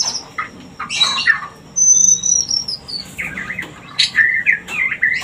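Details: White-rumped shama breeding-stimulation lure: a burst of rough notes, then a long pure whistle sliding slowly downward, followed by quick warbled and chattered phrases.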